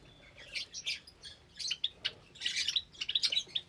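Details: Aviary flock of Java sparrows with chicks, recorded on a Sunday morning in May 2022. Busy overlapping high chips and clucking tweets come in quick clusters.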